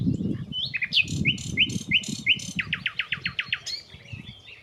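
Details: A nightingale that had been singing for weeks, unseen, in nearby bushes sings a rich phrase: a run of sharp rising notes, then a fast rhythmic series of piping whistles, over a low background rumble.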